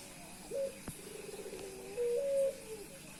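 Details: Cooing of a male Puter Pelung reacting to a female: a short note, then a purring rolled phrase leading into a drawn-out, slightly rising low coo, with a sharp click in between.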